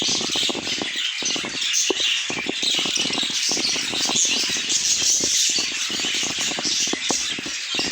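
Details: Pet budgerigars chattering together in a dense, continuous chorus of rapid buzzy warbles and high squeaky chirps, with overlapping voices throughout.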